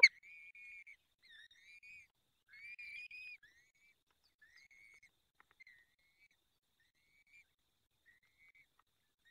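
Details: Peregrine falcon nest in the Barycz Valley, Poland, fifth feeding on 23 April 2020 at 19:28: a few drawn-out whistled calls early on, then only scattered faint short notes and quiet.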